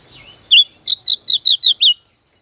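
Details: Five-colored bird singing in a song duel, a caged decoy kept over a year: one note then a quick run of six bright, evenly spaced high notes, clean and loud, ending abruptly in silence.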